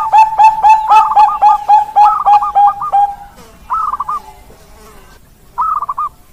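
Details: Perkutut bangkok, the zebra dove type, gives a fast series of sharp hooked coos with rippling trills overlaid, then goes quiet before two separate short bubbling trills.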